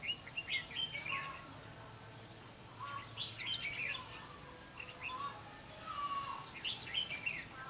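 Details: Decoy red-whiskered bulbul singing at a trapping site, 5 November 2016; separate bouts of warbled, chirping phrases with short quiet gaps, ending with a loud high burst.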